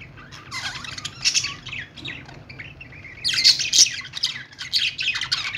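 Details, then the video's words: Budgerigars in the morning, likely several birds: bursts of squawky, chattering chirps and warbles, sharp and high, coming in clusters with short quieter gaps, the busiest flurry near the end. "budgie birds morning sounds"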